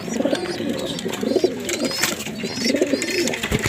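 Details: Homing racing pigeons in a loft at Binangonan, Rizal, before a training release: low soft cooing murmurs in short rolling phrases, several birds overlapping, with faint higher chirps and rustling in a small enclosed space.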